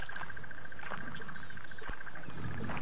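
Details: Crested barbet calling unseen from a large tree in the distance on a November sunrise game drive, possibly two birds, gives a long, even trill of rapid notes, steady in pitch like a ringing alarm clock, over the low rumble of an engine.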